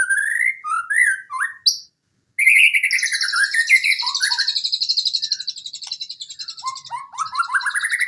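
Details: Rousing white-rumped shama song for training birds that rarely sing: rising whistled notes, a brief pause, then a long buzzy high trill over varied slurred whistles ending in quick upward phrases.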